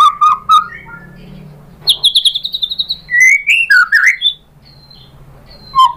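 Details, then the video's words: White-rumped shama song: a varied run of clear whistles, a fast descending series of short bright notes, then looping, slurred phrases that jump up and down in pitch, over a faint low hum. "PANCINGAN MURAI BATU biar EMOSI NYAUT jadi GACOR BONGKAR ISIAN | SHAMA BIRD"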